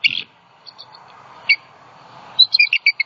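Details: Nesting female bald eagle in Southwest Florida, 28 December 2020, distressed after a great horned owl knocked the male off the nest. Scattered high squeaky notes, then a fast jumbled burst of piping chirps closing the stretch.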